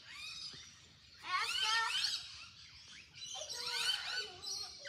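Rainbow lorikeets give shrill, screechy chatter, with two loud bursts of squealing, wavering notes over a steady background of softer twittering.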